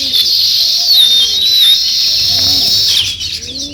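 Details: Many sparrows, given as weaver birds, chattering in a steady, high, shrill twitter that barely pauses. Faint low coos drift under the flock, and the chorus eases toward the end.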